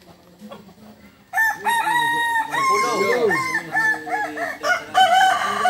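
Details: Balenggek roosters in a crowing contest, landiak class, on a Sunday at Ampang Kualo, Solok city. After a quiet start, long harmonic crows in stepped, held tones overlap from several birds, some rising then falling.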